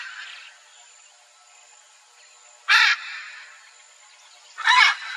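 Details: In the wild, a mated pair of hyacinth macaws exchange calls that maintain their bond: two widely spaced, harsh, rasping screeches, with a constant thin insect whine and quiet background calls between them.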